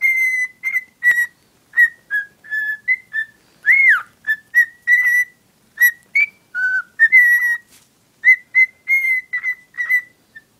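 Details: Female pet cockatiel whistling while infatuated with a soft toy; a long, busy run of short clear whistles with a swooping down-slurred note near the middle and a lower dip later, almost continuous.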